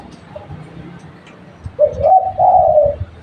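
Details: Local spotted dove calling, used as a lure: after a quiet start with low background rumble, one mellow, low-pitched cooing phrase of two or three soft notes rises slightly and then settles, lasting about a second.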